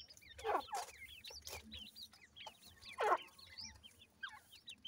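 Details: Baby francolins, new chicks beside the adult bird, give high, sharp cheeping notes in quick uneven runs, with a few loud dull knocks and scuffing sounds breaking in at intervals.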